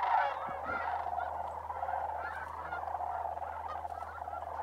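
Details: Dense flock of sandhill cranes on migration, Bosque del Apache Wildlife Refuge, New Mexico, in December, calling together; many overlapping nasal calls form a constant roar, with a few louder individual notes near the start.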